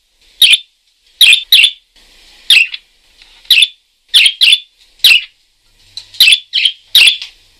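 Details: Energetic parakeet chirping: sharp, scratchy notes, often in quick pairs, about a dozen over several seconds, with soft chatter underneath and an otherwise quiet background.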